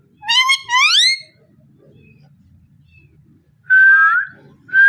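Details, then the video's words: Parrot uttering two rising, heavily harmonic whoops, a long pause with faint hum, then a flat buzzy whistle and the start of another. "Amazing parrot so cute talking and voice"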